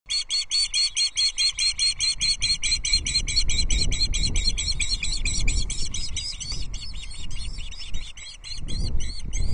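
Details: Osprey chicks on a Loch Arkaig nest, 14 June 2024, at feeding time as a whole small trout arrives and the dominant chick bullies another; rapid high chirps, pulsed at first, then a continuous chattering stream over low wind rumble.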